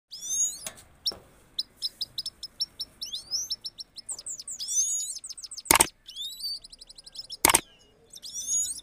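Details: A Himalayan goldfinch, one of a pair, sings powerfully to the female: a fast, high, tinkling twitter of rapid slurred notes and trills, broken by two sharp clacks.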